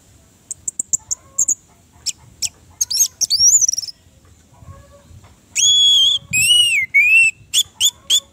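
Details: Song of an Orange-headed thrush, played to coax a silent bird into singing. Ticking high notes build into fluty, rising and falling whistles, then drawn-out, warbled phrases and short closing chirps.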